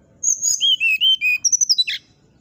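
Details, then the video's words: Brown-chested jungle flycatcher, a captive bird, sings a clear phrase: high drawn whistles stepping down in pitch, then a quick run of short chirped notes ending in a harsh buzzy note, over a faint low hum. "SATU SATU NYA SRDC NYULING BIKIN EMOSI SRDC TETANGGA,SIKATAN RIMBA DADA COKLAT"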